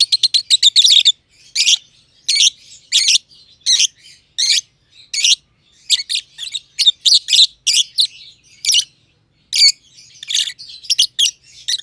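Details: Green personata and green pied personata lovebirds, close companions kept in an aviary, chirp at length; shrill scratchy notes open with a fast rattling series, then single and paired chirps spaced about half a second apart.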